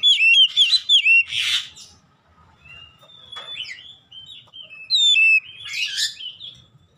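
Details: 'Ngeplong gacor' song of the Oriental magpie-robin, or kacer, for training birds at home: loud, rich whistled notes open the phrase with a harsh buzzy burst, then scattered high slurs and another bright ringing flourish.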